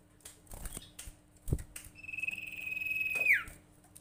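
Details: One long steady whistle from a common iora (sirtu) that slurs sharply downward at its end, used as a lure to make other ioras call, preceded by soft taps and rustles.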